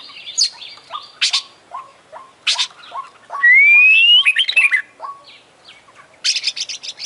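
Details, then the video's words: International champion Oriental magpie-robin with full 'isian' filling: steady short clipped notes about twice a second, harsh high bursts, and a loud, rising whistled phrase in the middle. "Full Isian Juara Internasional Burung KACER Gacor"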